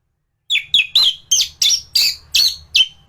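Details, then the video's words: Anis thrush in peak form singing a training song: a steady series of about nine loud, sharp, downslurred notes, each roughly a third of a second apart. "Burung anis gacoran || masteran untuk burung anis"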